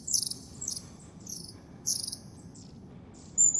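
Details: Long-tailed tit calling in nature in January, Moscow Oblast, Zvenigorod Biological Station: a scatter of short, very high, thin descending 'see' notes, about six brief bursts, with a quiet low rumble underneath.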